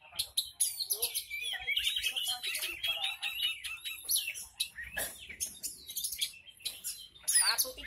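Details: Horsfield's bush lark ("hitam putih"), kept as a songbird, pours out a long, busy song of clicking chips, buzzy trills and slurred whistles, nearly without a break.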